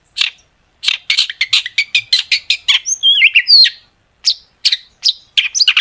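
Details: Lure recording of a long-tailed shrike in full song, a fast series of rasping, chattering notes with slurred whistles and mimicry-like twists in the middle, continuing after a short break.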